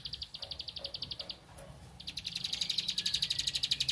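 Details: A bar-winged prinia in full song, seeking an opponent to challenge, gives a fast, high run of about ten chipping notes a second. After a brief pause it bursts into a louder, buzzier rattling series.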